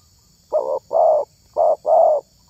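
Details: Spotted dove prized in the luring hobby, repeating a two-part phrase twice, a short coo then a longer rounded one, with a third phrase just starting.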